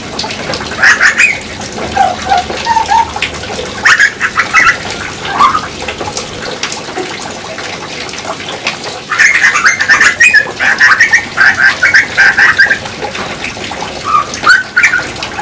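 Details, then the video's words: A grey butcherbird (Cracticus torquatus), an Australian species, sings in bursts of rich, fluting and warbled phrases, some dipping lower, separated by short pauses. "Singing Birds (Grey butcherbird)"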